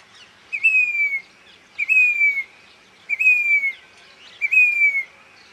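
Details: A grey-bellied cuckoo in Rajasthan gives four clear, high whistled notes, each sliding slightly downward, repeated about every second and a quarter over faint background hiss.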